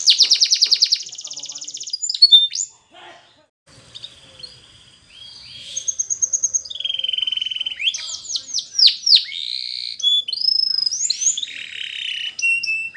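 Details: Canary song for training: a fast trill opens, followed by a quiet pause, then soft whistles and a rising, busier series of sweeping high notes toward the end.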